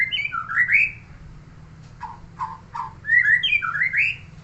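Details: A neighbour's murai (shama) singing: loud slurred whistled phrases rising and falling, then three harsh descending notes about half a second apart, then a fresh run of bright, looping whistles.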